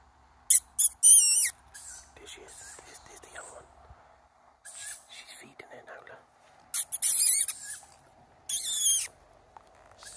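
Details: Young tawny owl calling for food, giving repeated hoarse hissing screeches in clusters, with soft whispering voices and faint rustling between the calls.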